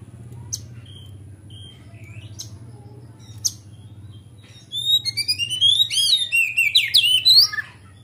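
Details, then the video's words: Oriental magpie-robin in full, open song, kept as a lure to stir untrained birds: isolated sharp clicks and soft whistles, then a loud, fast cascade of bright, swooping, warbled notes rising and falling. "Kacer Gacor On Ngeplong Untuk Pancingan Kacer Bahan"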